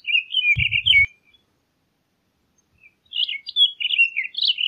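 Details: Townsend's solitaire singing two quick warbled phrases of mixed high notes, separated by about two seconds of silence, with a short low thump during the first.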